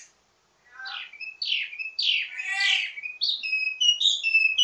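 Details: Ledekan song of a wambi mini, rich in variations and meant to train other birds of the same kind: sweeping downslurred whistles, then buzzy rising notes and short clear piping phrases at high pitch.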